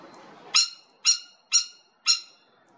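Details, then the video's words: Spur-winged lapwing at the Los Angeles Zoo on 21 March 2021, with a chick doing duck-and-cover, giving four sharp, high, metallic 'kik' notes about half a second apart; otherwise quiet. "Spur-Winged Lapwing Chick Duck-and-Cover"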